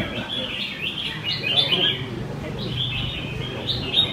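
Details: At a weekly Sunday bulbul singing match in Quy Nhơn city, 21 June 2020, caged red-whiskered bulbuls trade short sweet warbles and sharp chirps in an unbroken chorus over steady background chatter from onlookers.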